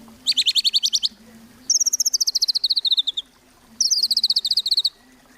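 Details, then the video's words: White-rumped shama singing gacor-style, played as a lure to get other shamas singing: three fast staccato trills, each high, bright and rattling, sometimes dropping slightly in pitch, over a faint steady low hum. "Murai Batu Gacor | AMPUH buat PANCINGAN Murai Batu Agar Bunyi"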